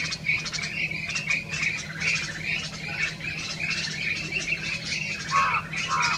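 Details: Olive-backed pipit (Anthus hodgsoni), February 2021, Bhakrakot village, Mohaan, Almora, Uttarakhand: thin, high, buzzy call notes in quick, overlapping bursts over a steady low hum.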